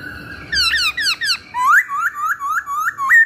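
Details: Masked laughingthrush song, recorded to lure or train birds: a few falling, slurred notes, then a run of rising whistled notes, roughly three per second.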